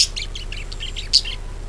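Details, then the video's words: Budgerigar twittering meant to get other birds singing: a rapid string of short, bright chirps with one louder squeak near the end. "PANCINGAN PARKIT AGAR GACOR"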